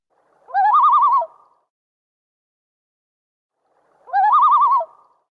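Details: Common Loon tremolo, Minnesota: two quavering, laughing bursts about half a second long, rapidly wavering in pitch, three seconds apart. The tremolo is often a distress call but is also given in flight.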